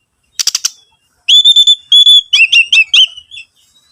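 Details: Oriental magpie-robin song used as a lure to make other birds sing: a quick burst of harsh rattling notes, then loud steady whistles and warbled phrases, clean with no background sounds.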